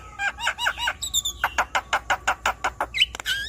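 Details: Fast Javan myna phrase from a 'gacor' song meant to coax a stressed bird: looping whistles, then a steady run of harsh clipped notes about five per second, closing with a rising whistle.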